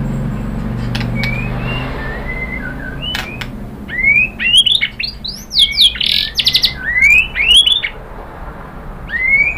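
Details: White-rumped shama song played to provoke rival birds to sing: after a quiet start with low rumble, bright rising whistled notes and fast chattering phrases come in bursts, with upward-slurred whistles.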